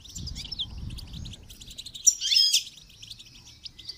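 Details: Goldfinch song used in training: a fast jingle of high tinkling notes, peaking in a loud twittered burst halfway through, over a faint low rumble at the start.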